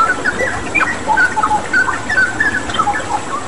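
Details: Vigorous straw-headed bulbul song mixed with a water-therapy sound, meant for pet birds to learn from: clear whistled phrases, rising swoops and short falling notes, dense and uneven, over steady flowing-water hiss.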